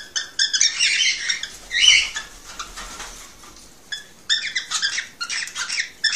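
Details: Male cockatiel singing to encourage a female to mate: bursts of harsh, buzzy chattering notes, a quieter gap in the middle, then a fresh run of quick rasping chirps.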